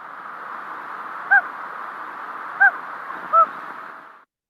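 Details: A Common Loon gives three short, soft single-note hoots, spaced one to two seconds apart, over a steady background hiss; the hoot is a close-range contact call between partners or between parents and chicks.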